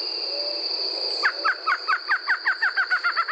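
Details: Barred Antshrike in Brazil: after a second of quiet, a quick sequence of about a dozen hooting, down-slurred notes repeated evenly, accompanied by a persistent high-pitched insect buzz.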